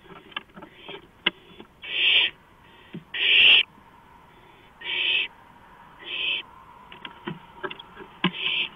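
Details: Close owl on a porch at 2:05 AM on 5 April 2015, giving loud, harsh, hissing screeches about once a second, mixed with sharp clicks and knocks.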